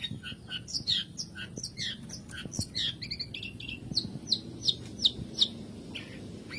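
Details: Long-tailed shrike song used as a lure for quiet birds: soft thin high chirps building into a regular series of sharp, piercing notes, with faint low background noise.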